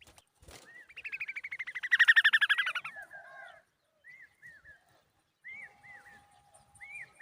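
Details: Common babbler raising a noisy call to protect its babies: a rapid ticking run swells into a loud, harsh, buzzy chatter, then breaks into squeaky down-slurred notes in twos and threes.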